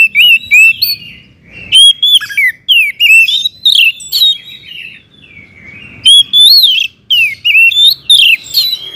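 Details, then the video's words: Oriental magpie-robin singing loudly to stir other magpie-robins into song, a rapid run of whistled, slurred notes and sharp chips in dense bursts, several brief pauses between phrases. "kacer gacor ngeplong SUARA KERAS BIKIN KACER Lain NAIK EMOSI,, PANCINGAN KACER AGAR RAJIN BUNYI"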